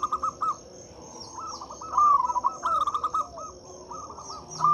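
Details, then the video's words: Local zebra dove cooing, played as a lure for doves that will not sing: short staccato notes, then a longer rolling phrase midway, with a persistent high whine and scattered small chirps behind. "Suara PIKAT dan PANCINGAN perkutut lokal gacor untuk atasi perkutut bisu dan susah bunyi."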